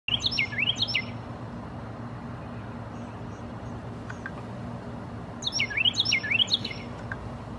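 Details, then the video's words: Carolina wren singing from a tree: two loud bursts of song, each a rapid run of three rolling, ringing phrases, about five seconds apart, over a steady low rumble. "Carolina Wren singing"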